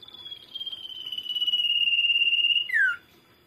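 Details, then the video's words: Common iora singing as a lure for other birds: one drawn-out whistle with a fine trembling pulse, gradually swelling and dropping slightly in pitch, ending in a short down-slurred note. "CIPOW/SIRTU PAS BANGET BUAT PANCINGAN"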